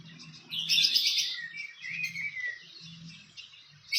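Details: Fantail in the wild near its nest, giving high, thin twittering and squeaky chips with a brief descending trill; a low hum runs underneath.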